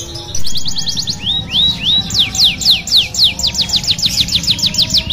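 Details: Canary song used to train other canaries: quick trills, then three slurred rising whistles, followed by a series of loud descending sweeps repeated several times a second.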